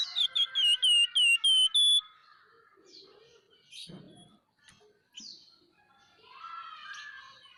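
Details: Vigorous scaly-breasted munia, locally flamboyan, giving a run of about seven clear whistled notes, each dipping and rising, over two seconds, then softer twitters and chips.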